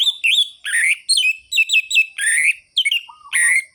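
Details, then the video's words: Nonstop orange-headed thrush song, used as a lure for thrushes reluctant to sing: dense, varied high whistled and buzzy phrases tumble one after another, with a brief soft low note near the end. "ANIS MERAH GACOR ABIS untuk pancingan bunyi burung anis merah yang loyo"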